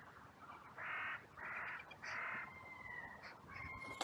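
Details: Crow outcry in a cemetery under a blue sky, following a fight between two crows: three evenly spaced, harsh caws, then a thin, drawn-out whistle in the background.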